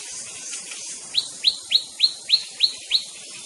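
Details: White-rumped shama, known locally as murai batu, a prized songbird: a run of seven quick, bright, rising whistled notes, evenly spaced about three per second, after a softer start, over faint high hiss.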